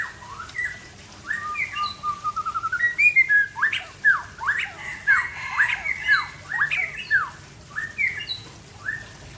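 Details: Afternoon song of an Aceh white-rumped shama at ease: varied clear whistles, a fast accelerating trill, then loud sweeping down-slurred and up-slurred notes repeated in rich, irregular phrases.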